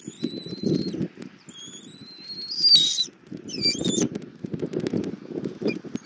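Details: Thin, sustained whistles from a bald eagle nest in Southwest Florida, recorded by nest camera at 08:41 on 2024-02-24 while the mother eagle feeds her chick armadillo. Long wavering high tones, then brief downward notes, with dull rustling beneath.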